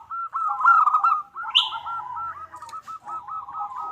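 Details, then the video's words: Female zebra dove calling the male, a run of quick, clipped cooing notes that ripple along at an even pitch, interrupted once by a short higher chirp. "Suara Perkutut Betina Memanggil Jantan"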